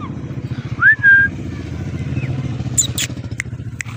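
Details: A blue Indian ringneck parakeet gives one loud, clear whistle sliding upward, then a few faint short chirps and sharp high clicks, over a steady engine rumble.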